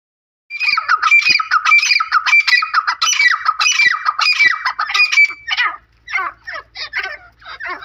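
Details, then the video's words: Grey francolin calling: loud, harsh, ringing phrases repeated rapidly, with a sharp high note in each, then broken squawky bursts toward the end in a quiet setting. "Jangli Teetar ki Best Voice"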